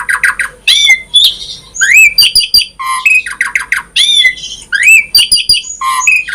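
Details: Asian pied starling in lively full-variation song, used to coax other starlings into singing: a steady stream of rasping squawks, sharp whistles and rising and falling slurs, tightly packed and varied throughout.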